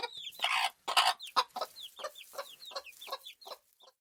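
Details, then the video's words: Farm chickens: a few loud, harsh clucking bursts at first, then lighter evenly repeated clucks with small high chirps, fading toward the end. "Farm Chickens Ambience Sound Effect"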